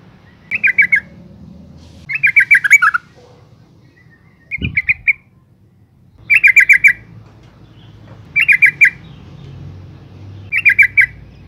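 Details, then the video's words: Yellow-vented bulbul female gives repeated bubbly chattering calls meant to provoke males into song, short bursts of rapid notes about every two seconds, with one brief thud and a low background hum. "suara panggilan burung trucuk betina gacor NGALAS pancingan TOP trucukan jantan stres - macet bunyi"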